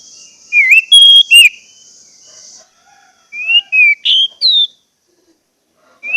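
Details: Orange-headed thrush lure song to make caged birds sing: a few whistled slurred notes, then a pause and four separate rising and falling whistles, a steady high hiss in the first half.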